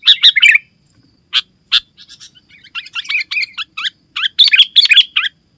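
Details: Sooty-headed bulbul in full, busy song used to call other bulbuls and as a tutor for birds: bursts of short bubbly chirps and warbled notes, a couple of isolated notes, then rapid chattering phrases with no other sounds.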